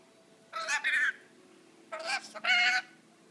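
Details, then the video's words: A pet rainbow lorikeet talks, uttering two short voice-like phrases about a second apart, each a quick run of nasal, wavering syllables mimicking a human tone. "Rainbow Lorikeet talking sooky"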